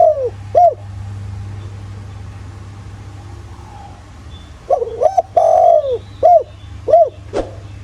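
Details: Spotted dove lure recording in the 'giọng thổ' style from the countryside; two short arched coos open, a quiet gap follows, then a full phrase of wavering and long descending coos ending in short rounded notes and a click.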